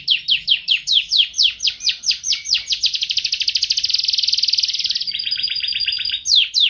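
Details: Canary song for training pet songbirds: a sequence of loud downslurred notes accelerating into a dense buzzy trill, then a high steady tone and a final sharp note.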